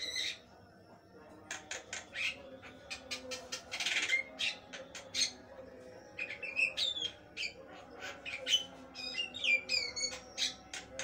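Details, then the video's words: Jalak kebo, the Javan myna, in prolific song: rapid clicks, harsh rasping bursts and looping whistled notes, a brief pause near the start, then continuous varied phrases. A constant low hum sits in the background. "jalak kebo gacor, suara mewah gk ada duanya"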